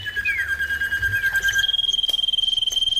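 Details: Clear, loud common iora song used as a lure to get another iora singing: a fast, even trill held on a high pitch, with a lower trill and two quick downslurred whistles at the start, steady throughout.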